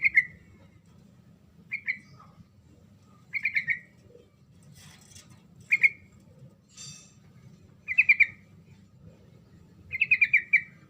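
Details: Sooty-headed bulbul singing in the 'gacor ngerol' manner to provoke silent birds: short bubbly phrases of two to five quick notes, spaced roughly every one and a half to two seconds, with a brief scratchy sound between them and a low hum behind.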